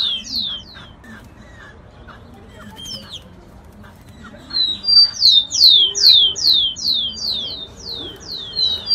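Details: Giant cowbird in the Amazon: a brisk run of high, squeaky down-slurred whistles, about two per second, after a few scattered opening notes over faint background hiss.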